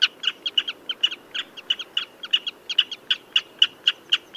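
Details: Common redshank uttering rapid paired and single sharp notes, roughly four a second and slightly uneven, all at a similar pitch over a soft low hiss.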